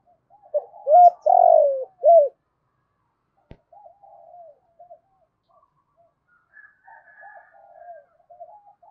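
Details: Decoy spotted dove calling to lure wild doves. A loud phrase of hooked notes and a long falling coo is followed by a sharp click, then softer distant cooing and a higher faint call.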